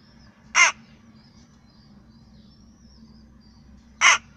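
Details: Rook perched on a balcony gives two short, harsh, raspy caws about three and a half seconds apart, with a low steady hum in the background.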